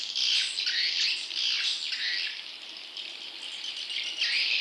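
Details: Young swiftlet calls used as a lure for wild swiftlets: loud, high, hissy-buzzy chirps in clustered bursts roughly every half second, with short dips between groups and a fresh loud burst at the end.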